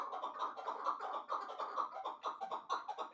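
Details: Caged chukar partridges, a two-year-old caught in the wild and a one-year-old hybrid; rapid, even series of harsh chuk-chuk notes repeated several times a second, dense and continuous throughout.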